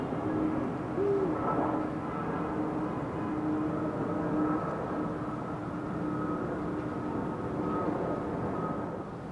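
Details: Eurasian eagle-owl recorded 16 February 2023 giving a single low hoot early on, set against a continuous steady mechanical hum with tonal lines throughout.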